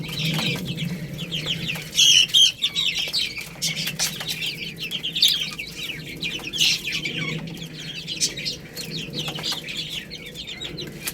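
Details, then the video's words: Group of chicks eating rice and playing, high overlapping chirps running throughout, a few louder peeps around two seconds, with brief rustling, tapping and clicking sounds among them. "Beautiful Chicks Chirping Sounds | Cute Baby Hen Eating Rice"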